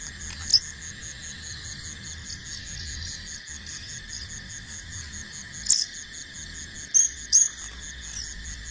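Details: Young bar-winged prinia, a fledgling learning to fly, utters short sharp high-pitched chirps: one early, then a quick cluster of three near the end, against a continuous shrill cricket chorus.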